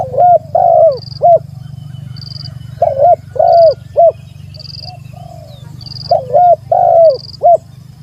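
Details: Spotted dove calling to a rival in three phrases of four or so arched cooing notes, a soft lone coo between them, over a low steady hum and repeated high chirps.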